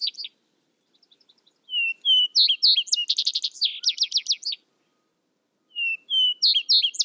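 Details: Song of a vesper sparrow, opening with two drawn-out whistled notes, then quicker high notes and a fast, even trill, repeated after several seconds of silence.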